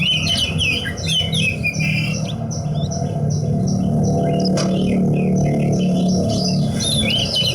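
A Horsfield's bush lark sings a rapid, varied run of high chirps, trills and squeaky notes, tumbling over each other. Low humming and background music sound beneath.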